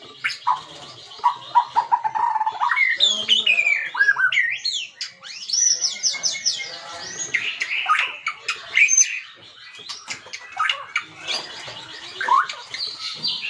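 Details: Lure song of a white-rumped shama meant to provoke other birds to sing: long, dense medley of fluty whistles, trills and rapid chattering notes, with faint background noise.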